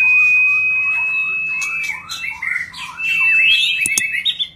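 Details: White-rumped shama during display, opening with a long steady high whistle over lower warbling, then a tumbling sequence of varied slurred notes and a few sharp clicks.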